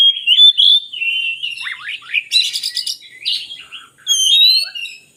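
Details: Oriental magpie-robin song used to lure lazy birds into singing: varied whistled phrases around mid-high pitch, rising and falling slurs, a burst of buzzy broadband notes midway, then sweet whistles.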